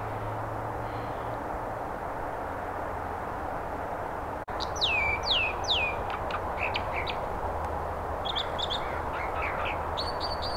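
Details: American dipper along the Britannia Slough at Dentville, Squamish; after a sudden break, a quick series of sharp, descending high notes and buzzy chips over a steady rushing water background.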